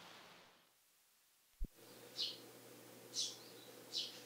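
A tree sparrow gives three short, bright chirps about a second apart, the familiar 'chun chun', over a low steady hum with a single soft click before.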